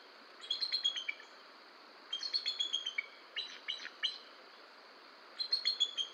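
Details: Bald eagle vocalising at the Decorah nest in the early morning of 18 August 2022, around a male's nest work and perching. It gives high, thin, chittering piping notes in three quick bursts over steady background hiss.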